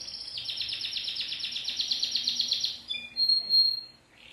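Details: A singing Timbrado canary delivers one long, even, very fast trill lasting nearly three seconds, followed by two brief clear whistled notes.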